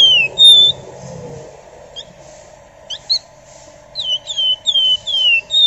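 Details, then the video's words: Flamboyan, the Golden-bellied Gerygone, singing densely as a lure: thin falling whistles open and close the passage, with scattered short notes between them over a steady low hum. "Burung Flamboyan Gacor Ngebren Rapat Nyerecet Nyiul Cocok buat Pancingan"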